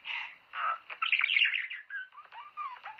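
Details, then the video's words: Budgerigar song meant to stimulate mating: a dense, scratchy chatter of short notes that rise and fall, with brief clicks and a few clearer whistled slurs sliding downward near the end. "حفز طيورك على التزاوج"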